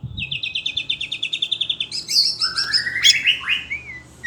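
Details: Agitated Oriental magpie-robin kept in captivity delivers a steady rattle of about sixteen quick repeated notes, then loud rising and falling whistled sweeps layered over each other.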